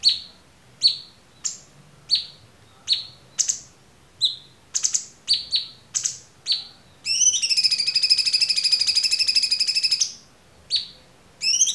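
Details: Cucak cungkok singing clearly as a training song for other songbirds: a string of sharp, separate high chirps, then a long rapid buzzy trill held for about three seconds, and more single chirps after it.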